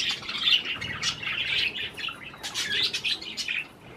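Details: Several pet budgerigars eating cherry tomatoes, giving dense warbling chirps around mid-high pitch, irregular bursts with brief pauses, several birds calling together indoors.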